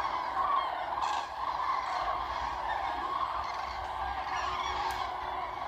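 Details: Common cranes, a large flock far away on lagoon meadows near Ribnitz, Baltic Sea coast of Germany; a steady chorus of massed trumpeting calls with a few brief rustling knocks nearby.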